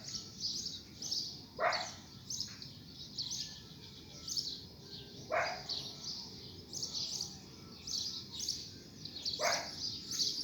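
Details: Coleiro after rain singing long strings of high repeated chirps, with three louder, lower scratchy bursts spaced through the recording and steady low background noise.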